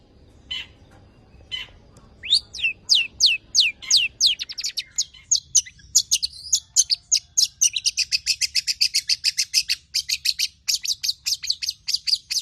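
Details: Long-tailed shrike in full song with mimicked phrases, used to prompt other birds to sing: a few soft notes, then descending whistled strokes speeding into a long, rapid high chatter.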